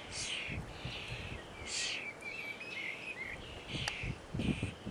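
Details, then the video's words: Common starling chicks at feeding time: faint raspy, wheezing begging calls in short bursts over a steady background hiss, with a few low knocks and rustles. "Starling chicks"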